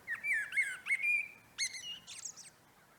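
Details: Common blackbird singing in a no-dig vegetable garden in late March 2024, early northern spring; a low, fluted warbling phrase, then a squeaky, high twittering flourish, all within three seconds against a quiet background.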